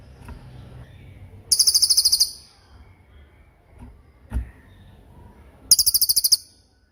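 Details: Racket-tailed treepie sending out two brief tembakan volleys, quick strings of high, sharp, evenly repeated notes about four seconds apart, with soft knocks and low background hiss in between; a tutor recording for songbirds.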